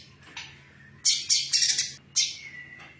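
A female brown-throated sunbird gives thin, high, scratchy chirps in quick bursts: a busy run of notes, then a shorter one. A faint low hum sits underneath.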